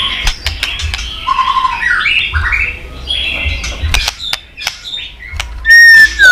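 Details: White-rumped shama giving a lively, varied song meant to provoke a young bird into fighting song, in the twittering líu style: short whistled phrases and sharp chips at an irregular pace, then a loud, clear, falling whistle near the end.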